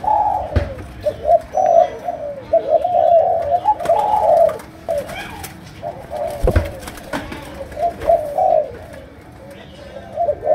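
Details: Spotted dove, Malaysian type, cooing in chiêu gù style with a sấm đồng tone: low rolling phrases in clusters with quieter gaps, punctuated by several sharp clicks or knocks.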